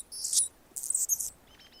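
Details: Anna's hummingbird perched on a branch in Golden Gate Park, San Francisco, California, giving two short, very high, scratchy squeaking bursts, then faint thin whistles.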